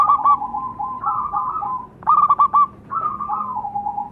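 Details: Zebra dove song used as a lure to get other birds singing: low, soft cooing trills. A fluttery stuttered burst in the middle is followed by rolling, slightly falling coos.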